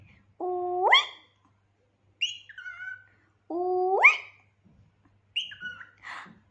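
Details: Pet cockatiel acting like a drama queen, giving loud whistled calls that jump sharply upward in pitch. These alternate with shorter wavering whistles, in about four phrases over six seconds in a quiet room.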